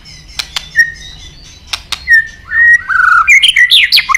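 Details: White-rumped shama (murai batu) lure song meant to make birds sing: scattered clicks and soft whistles building into loud, level whistled notes and a quick varied flourish at the end.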